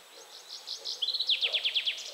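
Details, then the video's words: Willow warbler phrase: soft high notes, then about eight clear, evenly spaced whistled notes delivered roughly ten per second, each slightly lower than the last. "Willow warbler / Piecuszek"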